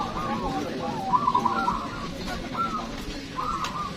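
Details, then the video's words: Local zebra doves (perkutut) at a singing competition: short bubbling, trilled coo phrases, one richer burst near the middle and a brief later phrase, over steady crowd murmur and low background rumble. "Lomba Burung Perkutut Lokal"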